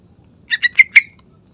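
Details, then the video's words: Morning song of a sooty-headed bulbul: four rapid, mellow but slightly raspy notes in one phrase, with the third and fourth the strongest, followed by a faint trailing slur. There is no other noise. "Trucukan Gacor Santai Pagi Hari"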